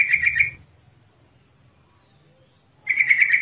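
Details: Two rapid rattling chatters from a female yellow-vented bulbul, used to draw a response from males reluctant to sing, separated by a quiet gap of over two seconds.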